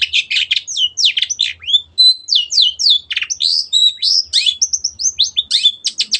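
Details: Long-tailed shrike (cendet) in lively masteran song: a rapid, varied jumble of downslurred chirps, buzzy notes and thin piping whistles, about three notes a second, unbroken throughout.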